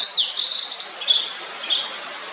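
Blue-and-white flycatcher: high, thin whistled notes, a slurred opening phrase then two short bright notes about half a second apart, over a soft background hiss.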